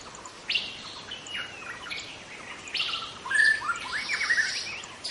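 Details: Young wild White-rumped Shama from the forest, singing a varied burst of sharp whistled notes and quick downward slurs in short phrases, with steady high hiss behind.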